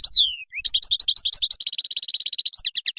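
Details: Moroccan goldfinch song opening with a long drawn-out falling whistle, then rapid chattering notes building into an even, fast metallic trill and a few final tinkling chirps.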